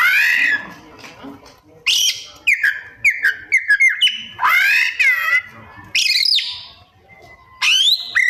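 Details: Kacer, the white-rumped shama, pouring out mimicked 'isian' song: harsh rising squeals, quick falling whistled notes, fast clicks and chips, with quieter pauses between loud phrases.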